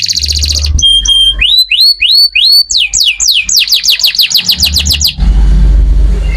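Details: Canary song used as a lure to set other canaries singing: a held whistle, then rising slurred notes and a rapid series of falling chirps, with low rumbling noise underneath.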